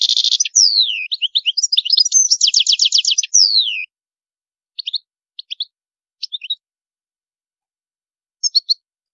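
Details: Goldfinch singing in a high, elaborate style, opening with a dense rapid twitter and fast repeated trill notes for nearly four seconds, then sparse short chirps spaced through a quiet background.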